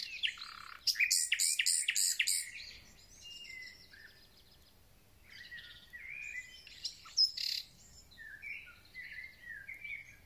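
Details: Thrush nightingale giving a full spring concert: loud, harsh, pulsing rattles, then varied softer whistled and chirping phrases with a bright burst midway.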